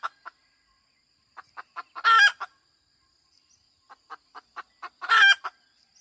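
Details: Hen cackling twice: each time steady short clucks about a fifth of a second apart climb into a long, rough, high squawk. A thin constant hum is present throughout.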